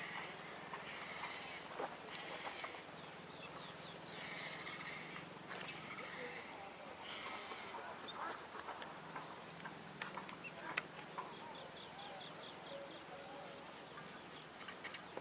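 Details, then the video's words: A painted stork chick breathes heavily in rhythmic, raspy, wheezing bursts every second or two, over a low murmur of background noise and faint voices. "Painted Stork Chick- Heavy breathing"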